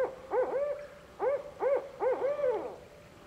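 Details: A Barred Owl answers a distant call from another Barred Owl, possibly its mate, with four rich, arched hoots that swell and fall in an uneven rhythm, the last drawn out, over a faint steady hum.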